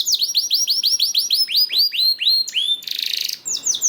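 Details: Singing canary, played as a lure to prompt other canaries to sing: a steady series of high, downward-curving notes about six per second, ending in a harsh buzzy rattle and a final swoop.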